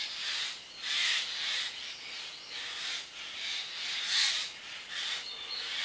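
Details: About ten Eurasian jays, unseen, flew into dense bamboo thicket in Japan and called back and forth to one another in harsh, rasping screeches, one burst about every second.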